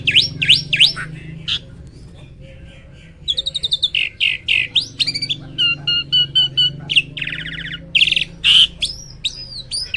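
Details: Loud, varied song from a hybrid myna, mixing slurred whistles, rapid clicking runs, harsh buzzy bursts and mimicked-sounding chirps in a continuous jumbled stream.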